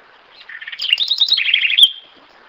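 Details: House wren, called corruíra, giving one song phrase: a fast chatter of low notes lifts into higher bubbling trills, falls back to a lower trill, then ends in a crisp click with a fading whistle.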